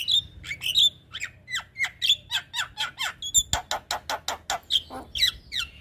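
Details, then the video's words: Javan myna in a cage-bird training recording, delivering a rapid chattering run of harsh squawks and squeaky notes, about three to four per second, mixed with short clear whistles, over a steady low hum. "Masteran Burung Jalak"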